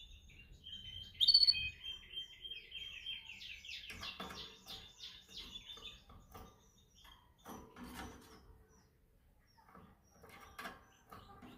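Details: Canary singing as part of song training: a loud high note, then a long, steady rolling trill of quick repeated whistled syllables. After that come clicks, rustles and scattered knocking.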